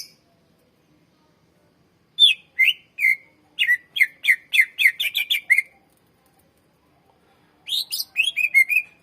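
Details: Greater green leafbird singing, used to lure and train other birds: a steady run of a dozen quick whistled and buzzy notes, followed after a pause by another rapid phrase.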